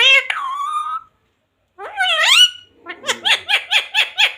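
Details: Indoor talking parrot: a long flat voice-like note, then a rising harmonic phrase, followed by a quick run of seven evenly pulsed squeaky syllables.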